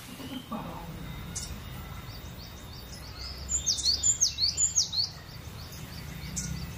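A cinereous tit gives a quick run of five or six high, sharp two-note phrases, bright and ringing, over a low background hum.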